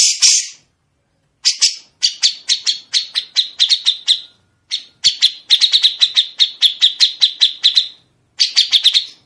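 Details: Grey-cheeked bulbul singing sharp, clear, long trills meant for other songbirds to imitate; fast strings of crisp repeated high notes running several seconds each, broken by brief silences, with no other sounds.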